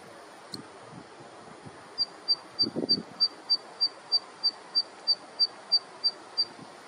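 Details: Zitting cisticola song: a sharp, high, clicky 'zit' note repeated steadily about three times per second for several seconds, over a soft rural background with faint low rustling.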